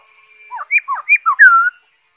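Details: Black-throated laughingthrush song recorded 5 May 2021: a short run of five or six clear whistled notes, curving up and down, ending in a longer falling whistle with a brief buzzy overtone.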